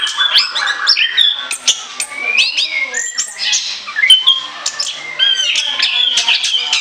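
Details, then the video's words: Lure song of an orange-headed thrush in chattering ngoceh ngeplong form. Jumbled quick twitters, harsher squeaky notes and rising whistles tumble on continuously, with a faint murmur underneath. "ANIS KEMBANG NGOCEH NGEPLOOONG"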